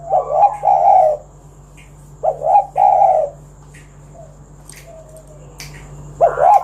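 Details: Tekukur, or spotted dove, in kuk 1 style song meant to draw other doves into singing: paired low mellow coos in short bursts separated by pauses, ending on another two-note coo, over a faint steady hum.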